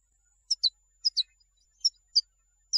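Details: European goldfinch in recordings picked for teaching young birds, giving sparse high, sharp, tinkling notes, often in pairs, spaced by short gaps.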